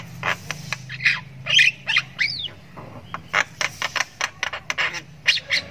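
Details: Juvenile Javan myna chirping as it learns its calls: irregular clicks and rasps, one rising-then-falling squeaky note, then a run of evenly spaced dry ticks about three per second.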